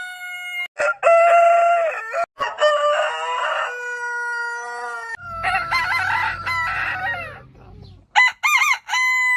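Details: Crowing rooster giving a series of loud crows. One crow is layered over a low rumbling background. The final calls waver up and down in quick, bubbling notes.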